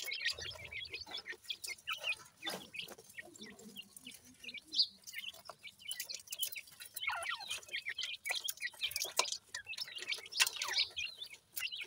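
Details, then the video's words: Young francolin (teetar) chicks giving a busy stream of short, high chirps and peeps, some overlapping, with scattered clicks and rustling in the background. "Teetar Chicks Khurak, Baby Pheasant Calling Guide"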